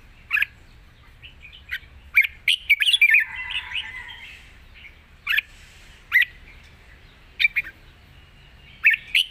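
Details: Cage-kept red-whiskered bulbul delivering its long song with rik: a rapid burst of warbled notes early, then sharp separate chirps spaced a second or more apart over quiet hum.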